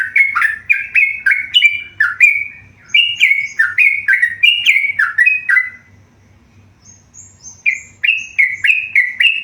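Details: Chattering song of a tame yellow-vented bulbul. Rapid jerky notes tumble up and down, stop for about two seconds, then resume with a thin high note and more bouncing phrases.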